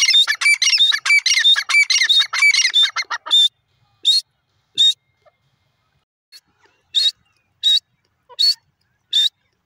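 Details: Iranian white francolin giving a fast burst of harsh squawks, then single rasping notes spaced roughly every second and a half, with silence between them.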